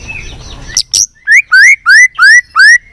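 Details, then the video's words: White-rumped shama singing to stimulate other shamas: after two sharp notes, five loud rising whistles follow at an even pace, each sliding upward, about two per second. "Kích Chòe lửa hót nhiều giọng"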